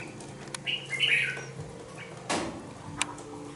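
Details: Two-month-old young red-whiskered bulbul in a cage gives one short warbled phrase of liquid notes. Sharp knocks and a loud rattling thump, like cage noise, come before and after. A faint low hum runs underneath.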